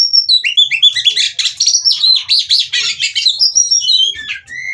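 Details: Caged female white-rumped shama singing, used to provoke singing: clear whistles opening into a packed stream of fast chattering and trilled notes, ending with a few descending whistles.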